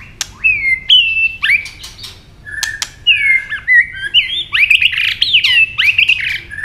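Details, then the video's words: Stimulated white-rumped shama in fighting song, snapping repeatedly and flicking its tail: clear slurred whistles, rising and falling, followed by a rapid warbled run, punctuated by sharp snapping clicks. "chòe lửa tạch liên tục đập đuôi dùng kích chòe lửa lên lửa hót đấu"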